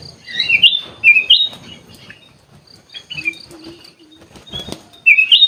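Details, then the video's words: Sooty-headed bulbul in an aviary delivering rapid, rising bubbly whistles in short phrases, a pause with faint chirps, then another whistled burst at the end. "kutilang emas gacor cor cor"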